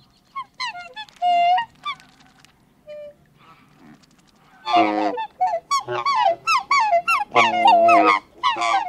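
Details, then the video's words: Close-up of two black swans trading bugling, honking calls, some high and some deep, in quick bursts after a quieter opening with soft dabbling sounds; black swan. "Black Swan. CU Calls From Two Birds, Both High And Deep Calls."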